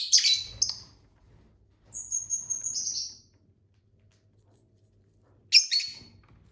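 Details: Pet lovebirds, a family of six kept indoors, eating and singing: sharp high chirps, a thin rising whistled note in the middle, then another burst of shrill chirps at the end, with a faint low hum behind.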